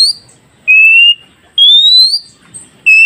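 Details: Oriental magpie-robin whistles meant to make freshly caught wild birds respond: pure, steady notes, a flat tone followed by a sharply upswept one, repeated roughly every second against a quiet background.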